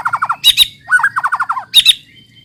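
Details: Lure song of a white-rumped shama meant to prompt untrained shamas to sing: quick series of short descending notes alternating with harsh, squawky bursts, repeated in fast rhythmic phrases over a faint low hum.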